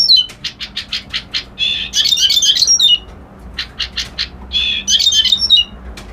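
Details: Reed warbler delivering a harsh, chattering song: a rapid series of clipped notes followed by grating, squawky buzzes, a short pause, then more churring phrases.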